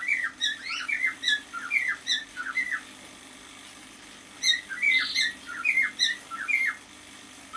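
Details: Pet male cockatiel aged six months sings in a small room, a chain of whistled, bending notes repeated roughly once a second, broken by a short pause and then resumed with similar warbles.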